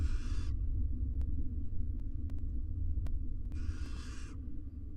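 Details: Two harsh, noisy screeches, one at the start and a longer one near the end, from wild barn owls courting beside four nestlings in a monitored nest box in Israel. Low hum and occasional clicks run between them.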